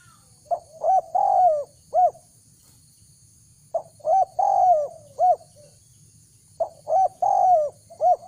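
Spotted dove cooing in short phrases of about four or five soft, hollow notes, the middle note drawn out, repeated every three seconds.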